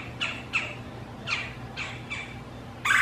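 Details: Two female Red-bellied Woodpeckers argue near a male's nest box during courtship, fighting over territory and a mate, giving harsh, rolling squawks, five spaced calls in under three seconds, ending with a louder, rougher burst.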